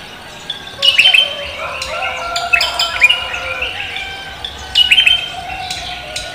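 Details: Javan green magpie singing vigorously at daybreak in the 'koak kelapa' style, greeting the morning: bright whistled and chirped phrases in bursts near one and five seconds, with softer chatter between over a quiet background hiss.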